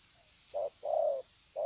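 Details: Wild spotted dove greeting call at Sê San, 21 February 2020: one short coo, a longer smooth level coo, then another short coo, soft and hollow against a quiet hiss.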